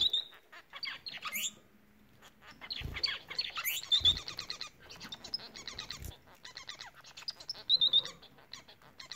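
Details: Bengalese finches singing steadily: dense strings of rasping, buzzy notes and quick chattering trills, punctuated by brief high whistled slurs, running almost without pause throughout.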